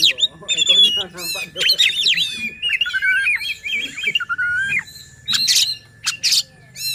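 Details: Oriental magpie-robin provocation song for stirring rival magpie-robins to sing: fluid sequence of rising and falling whistles, warbled runs and squeaky notes, with a faint steady tone in the background.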